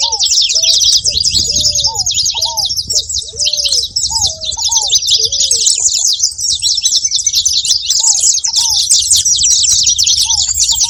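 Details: Dense flock chorus of saffron finches, high, twittering chirps overlapping constantly, with short, low, curved whistles repeated in clusters during the first half.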